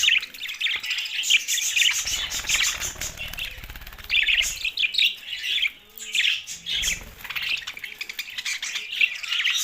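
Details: Several budgerigars chirping, a dense chatter of warbled and buzzy notes, mostly high-pitched, in bursts with short pauses between.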